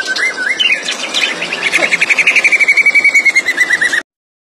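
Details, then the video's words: White-rumped shama, a kept songbird known for imitating other birds, singing a long rapid rattling trill of evenly repeated notes that drifts slowly downward, after a few scratchy introductory notes, ending abruptly. "Murai batu SUPER berkicau"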